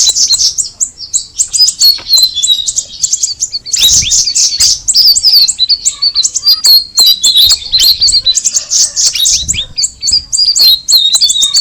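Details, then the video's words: A cucak rawis, or straw-headed bulbul, chattering continuously with rapid high chirps and slurred whistles, roughly three to four notes a second, dense and uneven, with a brief lull near the fourth second. "the alluring sound of the cucak rawis bird"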